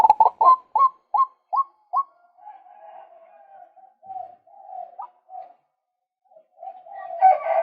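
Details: Lure recording of a male white-breasted waterhen: seven sharp hooked notes, about two or three per second, give way to a long, low, wavering, croaking run, then a harsh burst at the end.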